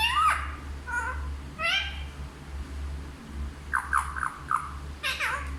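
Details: Talking parrot, said to speak Hindi, giving a few soft harmonic syllables, then a quick string of four short falling notes and a final brighter call, with a steady low hum.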